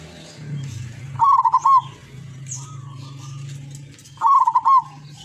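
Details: Zebra dove, locally caught in Tuban, East Java, singing two bursts of quick rolling coos three seconds apart, each ending in a longer note, over a steady low hum.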